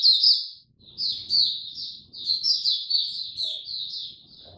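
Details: An Oriental white-eye in the early, slow and easy stage of its song sings a fast, high, twittering warble of thin, rapid notes, nearly unbroken for several seconds, with faint low background rumble.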